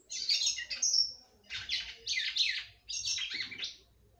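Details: Captive female red-cowled cardinal singing to excite her male, giving four short bursts of bright, high warbled notes separated by brief silences.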